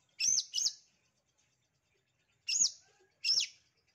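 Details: Long-tailed Shrike lure or master recording meant to provoke reluctant shrikes into singing: two pairs of harsh, scratchy high notes, each pair quick and the pairs about two seconds apart, with near silence between.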